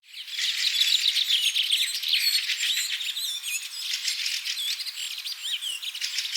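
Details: Bird song: a dense, continuous stream of rapid high chirps, twitters and short warbled whistles, rattling along quickly without pause for over six seconds.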